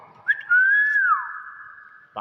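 A Nias hill myna gives one long, clear whistle that rises, holds steady for about a second, then slides down. A few short clicks follow, and faint speech is nearby.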